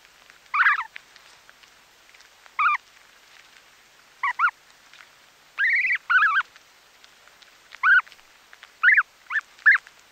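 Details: Close-up calls of snow goose chicks while feeding, with grass being pulled out: short, rough, nasal calls with stacked harmonics, some doubled, at irregular one-to-two-second intervals over a quiet background.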